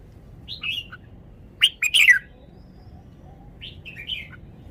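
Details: Red-whiskered bulbul showing its song phrases, praised for fine style: soft warbled whistles, a loud burst of harsh, bubbly notes in the middle, then another soft whistled phrase near the end. Quiet low background hum.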